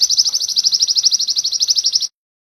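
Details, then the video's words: Canary in a modern sogon-style training recording used as song material: a fast, even, high whistled trill of about 30 rapid notes over two seconds, then silence. "Masteran sogon kekinian materi kenari"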